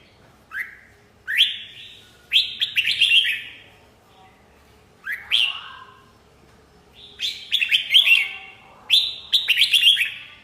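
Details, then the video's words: Red-whiskered bulbul song: bright whistled notes rising sharply, then rapid chattering phrases, delivered in bursts separated by short pauses. "TIẾNG CHIM CHÀO MÀO HÓT"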